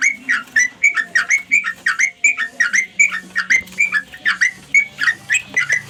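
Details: Companion-calling notes of a sooty-headed bulbul, a quick run of bright, chirpy, slurred phrases repeated without pause, slightly irregular in spacing, with a soft constant low drone underneath.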